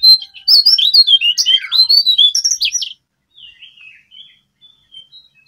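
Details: Jongkangan or brown cingcoang babbler calling in the wild, where many gather: a loud run of varied high chirps, whistled slurs and squeaks for about three seconds, followed by faint distant chirps.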